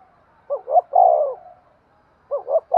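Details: Spotted dove cooing to stimulate breeding: one full phrase of two quick soft notes and a drawn-out mellow coo, then the next phrase starting, over a quiet background.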